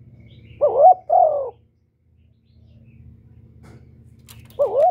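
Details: A spotted dove cooing continuously, recorded to stimulate other captive doves, gives soft, mellow coos, two close together then another after a pause, over a low steady hum.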